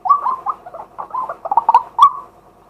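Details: A male white-breasted waterhen, recorded live in daytime, gives a quick run of croaking, gurgling mid-pitched notes, about a dozen in two seconds, ending on a sharper note.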